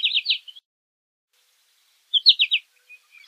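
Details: American goldfinch calls: a short run of high notes at the start, then silence, then another quick group of four or five bright notes near the end.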